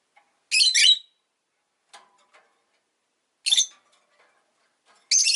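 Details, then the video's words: Three loud, raspy squawks from a pet rosy-faced lovebird, separated by gaps of about two and a half seconds, with faint ticks in between. "Lovebird Chirping Sounds"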